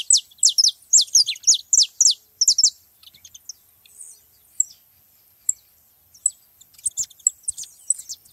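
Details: A group of free saffron finches opens with a rapid burst of high, piercing downslurred chirps, about two per second, then trails off into scattered soft high calls and a few clicks.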